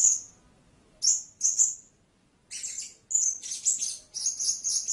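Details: High, thin squeaks from a blue-crowned hanging parrot: a lone note, a pause, a pair of notes, then a faster run of harsher, buzzy chirps near the end.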